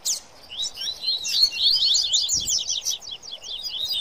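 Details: High, rapid twittering of coleiro and papa-capim singing excitedly together in 'baderna' style; tumbling slurred notes overlap continuously, with a soft low thump midway.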